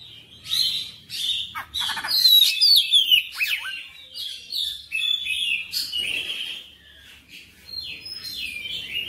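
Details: Persistently singing oriental magpie-robin delivering its full repertoire: a continuous stream of varied, sharp chirps, buzzy notes and quick whistled slurs, loud in the middle and fading near the end.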